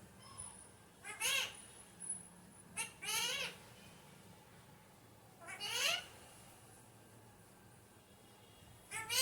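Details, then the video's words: Alexandrine parakeet, described as a naughty parrot, utters four separate raspy, upward-sweeping squawks spaced a few seconds apart, some doubled, with a low steady hum between calls. "Alexanderine naughty parrot/parrot natural sound"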